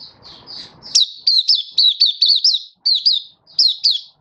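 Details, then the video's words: High, sharp, repeated chirps of a Malaysian white-eye singing freely, a hobby bird in Singapore on a warm, sunny 20 March 2023, delivered in quick runs with brief gaps after a faint opening. "Malaysian Mata Puteh Happy Buka Sing"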